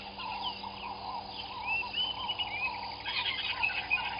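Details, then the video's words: Southern masked weavers calling at their nests over Gowrie dam, Sabi Sand, South Africa, at dawn on 15 January 2021; busy buzzy chattering with quick rising whistles and rattling trills, plus a faint steady hum. "Southern Masked Weavers and nests"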